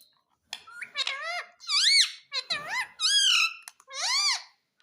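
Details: Pet parrot talking indoors, repeating human phrases: a rapid run of six squeaky, speech-like syllables with arching pitch contours, a brief low rustle or murmur in the middle, in a small quiet room.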